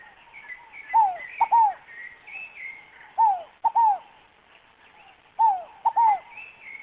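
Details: Scaled dove, known in Brazil as fogo-apagou, singing: three-part cooing phrases, each a falling hooted note, a short clipped note, then another falling coo, repeated about every two seconds; thinner whistling birds sing higher in the background.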